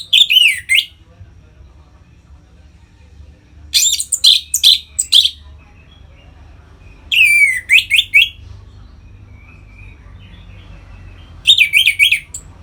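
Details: Orange-headed thrush, captive, singing ngeplong style to stimulate birds toward breeding mood; four separate bursts of loud, rich, chattering whistles, each about a second long, spaced by roughly three-second pauses over faint hum.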